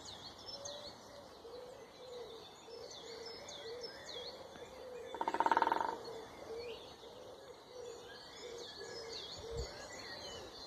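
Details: A single loud, fast drum roll from a woodpecker cuts in midway, lasting under a second, against a backdrop of continuous high chirping birdsong and a low soft cooing.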